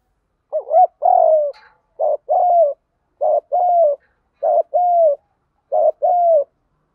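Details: Spotted dove uttering repeated 'đồng gù đấu' fighting coos to attract wild doves: six low, hollow phrases in quick succession, each a brief note then a longer level-to-falling coo, nothing else audible.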